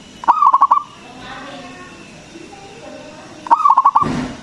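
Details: Singing local zebra dove, prized for a big voice and meant to provoke other doves into answering. Two quick rolling bursts of five or six low coo pulses are separated by about three seconds of quieter background calls.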